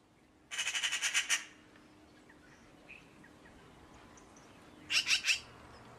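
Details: Magpie giving a harsh, rattling chatter of about eight rapid, rasping notes, then a brief pause and a shorter burst of three, over a faint steady background hum.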